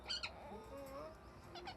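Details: Talking parrot: a short, squeaky two-part burst, then a gliding, voice-like phrase with wavering pitch, and two more high, squeaky notes at the end.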